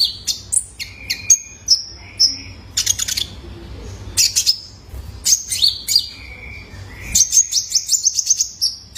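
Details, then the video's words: Juvenile male Van Hasselt's sunbird, a lure recording used to get caged birds singing: rapid bursts of sharp, high chirps and thin whistled notes, some held briefly, coming in quick runs with short pauses and a low background hum. "PANCINGAN KONIN BAHAN IKUT GACOR !! COCOK BUAT TERAPI KOLIBRI NINJA - SUARA ANAKAN JANTAN!!"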